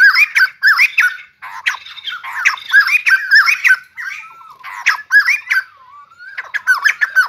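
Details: White-crested laughingthrush, also called bồ chao, singing and dancing: rapid chattering bursts of harsh squawky notes with slurred whistles, some rising and falling, in irregular runs separated by short pauses.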